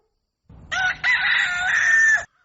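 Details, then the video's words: Rooster crowing at dawn: a loud harmonic call after a soft lead-in, one short note followed by a long sustained, slightly wavering cry that drops away at the end. "Galo Cantando Ao Amanhecer | Som De Galo Cantando | Galo Cacarejando | Crowing Sounds"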